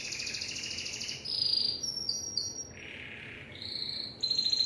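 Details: Brief Timbrado canary passage moving through several tours: a high buzzy roll, a thin piping note, a lower hollow trill, then a bright rising rattle.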